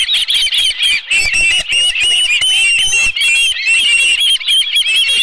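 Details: At the Dunrovin Ranch nest on 11 July 2018, an osprey with a live fish calls in fast strings of sharp, high whistled cheeps, overlapping and insistent, with brief dips in loudness between bursts.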